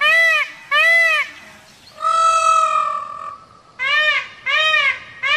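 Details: Indian peafowl (Pavo cristatus), peacock gives loud, nasal, wailing calls: two quick arched notes, one long drawn-out flat note, then three more arched notes in a row.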